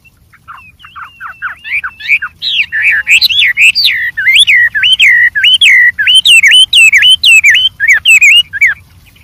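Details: In the wild, a white-rumped shama sings a richly varied song: a few downslurred notes open, then a fast run of loud, wavering whistled phrases repeated several times a second.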